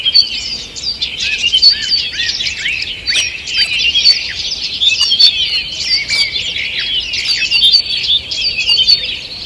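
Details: Morning in a forest, 2 June 2023, with many birds singing: a long, dense run of high twittering, buzzy trills and quick whistles, swelling and easing in uneven waves.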